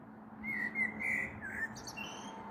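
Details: Evening song of a common blackbird on 21 April 2022, before a possible storm, taken from a balcony: a few rich, fluting whistles in a row, then a short dip and soft higher twittering notes to close.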